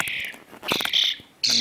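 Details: A hungry rescued European starling fledgling, hand-fed after being trapped in a wall cavity, gives harsh, rasping begging calls in three quick high, scratchy bursts with brief quiet gaps between them.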